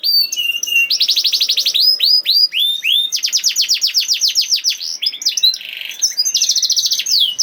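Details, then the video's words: Canary in rapid 'nembak' song, played to prompt lazy canaries to answer and sing: fast high trills of repeated downslurred notes alternate with steady whistled tones and buzzy bursts, the trill units coming several per second. "Kenari Malas Bunyi Langsung Nyaut Ikut Ngerol Kalau Dengar Suara Kenari Nembak Ini ||Voice of Canary"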